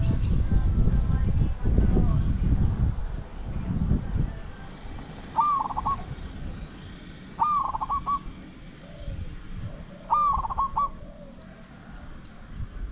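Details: After low rumbling noise, a spotted dove used as a decoy for luring wild doves repeats its coo phrase three times, about every two and a half seconds, each a clear note with a fast stuttered ending.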